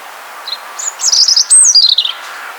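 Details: Evening serenade of a European robin: a short, delicate cascade of high silvery notes that opens with one soft chip, then tumbles rapidly downward in a bright trill before stopping. Background otherwise quiet.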